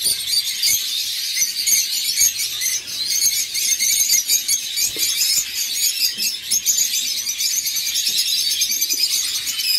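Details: Two lovebird nestlings about to fledge, left in the nest after their siblings departed, give a continuous, shrill, high-pitched begging squeal that pulses rapidly and barely pauses through ten seconds, with faint soft knocks beneath.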